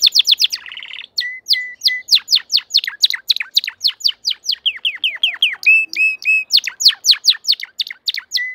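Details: Crested canary singing in full form: a rapid chip trill, a low buzzy roll, flat whistles, then long runs of fast, sharply downslurred notes and a few ringing level tones.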